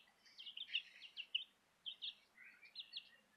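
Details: Southern Rambler chicks and a Golden Comet chick peeping: bursts of high, clear cheeps in quick runs, pausing briefly, then resuming in short rhythmic clusters over a quiet background.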